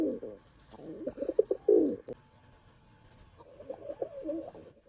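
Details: Pet house pigeon cooing while fussing over a person's feet: low, throaty, rolling coos in quick bursts, a short pause, then a longer softer run of murmured cooing.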